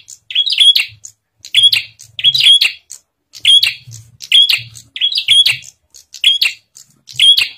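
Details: Bar-winged prinia song meant to trigger other prinias to sing, a steady series of high, bright chirp pairs with thin whistles, repeated regularly about every three-quarters of a second.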